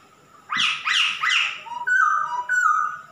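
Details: Male masked laughingthrush in lively song: three loud, rough, rising squawks in quick succession, followed by softer level whistles.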